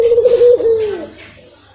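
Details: Puter, the Barbary dove, giving a lure coo to rouse a bird that seldom calls: a single sustained low hum-like note that dips, then fades out downward.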